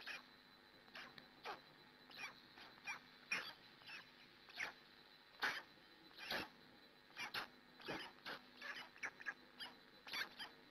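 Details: Hungarian black stork nest, female looking after chicks at 6 a.m. in 2017: a long run of short rough yelping calls, irregular but rapid, several per second at times, with faint high clicks and steady background hiss.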